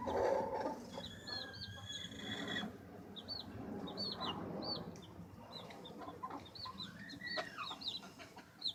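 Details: Baby chicks pecking and scratching, with sparse high, rising-falling peeps scattered through a noisy background and a few taps.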